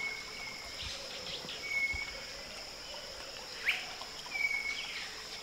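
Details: Rufous-backed Robins on the Huatulco River, Sierra Sur of Oaxaca, Mexico, on a cool morning near sunrise. They trade thin, high, drawn-out whistles, a second bird answering the closer one, spaced a couple of seconds apart over a steady rushing hiss of river water.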